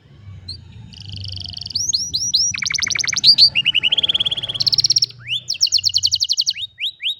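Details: Canary singing, recorded on a cellphone: varied bright whistles, rapid trills and repeated chirps in quick succession, with faint low hum underneath.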